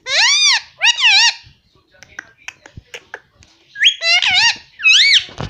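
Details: Household Indian ringneck parrot mimicking speech such as mummy and papa: loud, shrill, word-like phrases open and close the recording, with soft clicks and tapping in the quieter middle.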